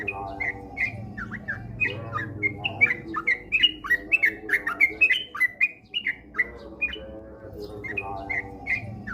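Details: Sooty-headed bulbul pouring out dense, rapid 'ropel' song used as a singing lure: clustered bright whistled notes peaking midway, over a noticeable low droning hum.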